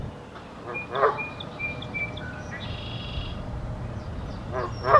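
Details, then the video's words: Spring song of a male Song Sparrow at close range, Ottawa, April 2023: a string of thin whistled notes followed by a buzzy trilled phrase, with short low sounds and distant rumble. "Song Sparrow song"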